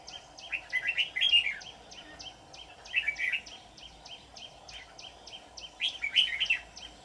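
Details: Red-whiskered bulbul decoy used in trapping, singing short rich warbled bursts about every two and a half seconds over a constant drone and a faint repeated ticking pulse.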